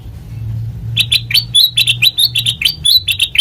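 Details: Sooty-headed bulbul song, played as a lure for training birds: after a second of low droning hum, a lively string of quick, bright chirps, each bending up or down, continues steadily to the end.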